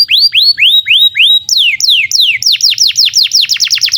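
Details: Canary song used to tutor young or silent canaries: slow upward-curving whistled notes, then sharply falling slurs, speeding into a rapid series of steep descending whistles toward the end.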